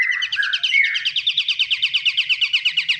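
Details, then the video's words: Lure recording of a pied triller (kapasan kemiri): a brief slurred, warbling phrase leads into a quick, rhythmic trill of buzzy repeated notes that carries through to the end. "Pancingan burung || KAPASAN KEMIRI"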